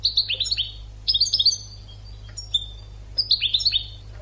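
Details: European goldfinch song used to teach birds, dense runs of fast liquid twitters dropping in pitch, with a few higher thin notes between phrases; low hum underneath.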